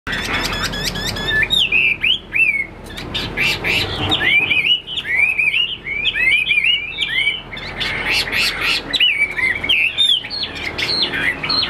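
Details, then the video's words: A Chinese hwamei, a wing-spreading fighting-style bird, sings a loud, rich run of varied whistles and slurred, rising and falling notes with rapid trills, almost without pause. "Họa mi"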